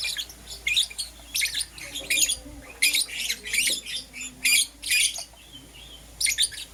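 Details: Lovebirds, Euwing Green Opaline and Lutino, chirping in the morning: harsh, shrill bursts of high chirps repeated in irregular clusters, roughly one every second or two, with a faint low hum beneath.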